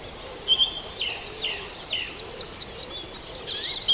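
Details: Dawn chorus at Farndale: several birds singing together, with high thin whistles and short downslurred phrases overlapping over steady background hiss.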